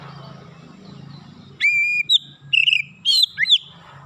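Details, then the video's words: Oriental magpie-robin calling: after a low hum, loud clear whistled notes in short bursts, some flat and sustained, others looping and sliding, with a brief downward-swooping note near the end. "kicauan terapi Kacer memanggil"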